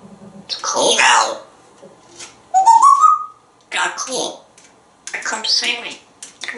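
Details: Talkative male African grey parrot, a pet hatched in 1997 living indoors in Texas, mimicking human speech in short phrases, with a clear whistle rising in pitch midway, then more chattering talk.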